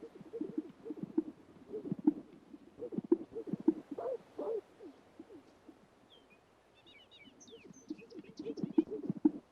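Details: At a traditional spring lek, male Greater Sage-Grouse display with low, bubbly pops and gulps repeating roughly every second to impress hens and intimidate rivals, plus a few thin higher chirps from other birds near the end.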